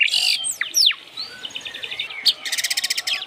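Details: White-rumped shama song used as a lure: loud, varied phrases of high whistles and sweeping notes, a jumble of slurred chirps, then a fast string of sharp, evenly repeated clicks near the end.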